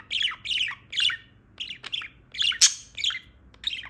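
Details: Just-awakened female budgerigar chatters steadily in a stream of buzzy, grating notes packed closely together, with one sharp louder click near the middle.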